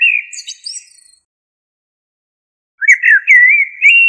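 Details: Blackbird song: a phrase closes with a squeaky high twitter, then after a silence a new mellow, wavering whistled phrase starts and rises at its end; clean recording with no background sounds.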